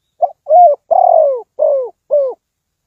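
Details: Spotted dove kept as a trapping decoy delivers a full cooing phrase: two brief introductory notes, then a long throaty coo and two shorter falling coos at a steady pace; nothing else audible.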